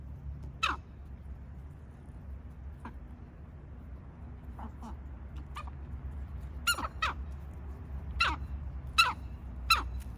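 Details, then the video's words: Domestic chickens sneezing after eating dry ground feed that was not wetted or fermented: short, sharp, explosive bursts, scattered at first, then in a quicker cluster of several sneezes near the end, over a low background hum. "Sneezing Chickens"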